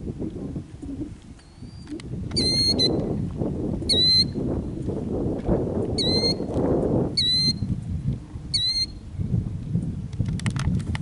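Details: Killdeer guarding its eggs with an injury-faking distraction display in Kananaskis, Alberta, Canada; loud, piercing high call notes come in short bursts about every one and a half seconds over a rumbling background of wind or ground noise.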